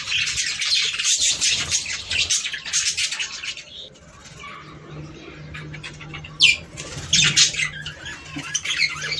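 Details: Budgerigars warbling, a sound for breeding stimulation; lively squeaky chatter at first, a quieter middle with a faint steady low hum, then sudden sharp chirps and renewed twittering.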